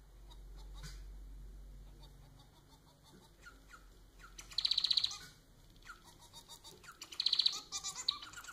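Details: Society finch, a pet domestic bird, delivers two quick phrases of rapid high rattling notes a couple of seconds apart, with soft scratchy chatter around them and low room rumble at the start.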